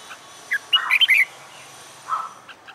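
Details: Wild-caught red-whiskered bulbul kept caged and trained for fighting song utters one short, squeaky, tumbling phrase of bright whistled notes, then a soft buzzy note.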